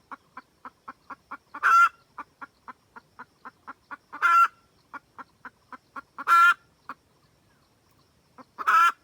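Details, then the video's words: A red junglefowl hen calls the rooster with a cackle, for use as trapping bait: rapid evenly paced clucks climbing into loud harsh squawks, repeated four times. "Gà mái rừng cực tác gọi trống."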